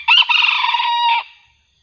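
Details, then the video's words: Junglefowl crow recorded while luring wild birds with a decoy, the wild fowl growing more aggressive; one complete raspy crow, a brief stutter then a long even drawn-out note ending abruptly, followed by silence. "mikat ayam hutan terbaru//pikat sudah tak sanggup lagi,AYAM hutan nya semakin ganas..!!"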